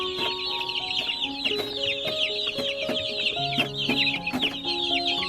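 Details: About a hundred baby chicks chirping very loudly, a dense continuous chorus of high, quick peeping notes, with steady music tones playing underneath.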